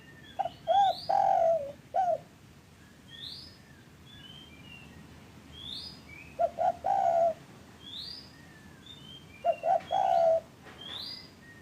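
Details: Spotted dove coos, played to get caged doves calling. Three phrases come roughly four seconds apart, each with short notes and a long coo. Many high chirps and rising whistles from other birds are heard throughout.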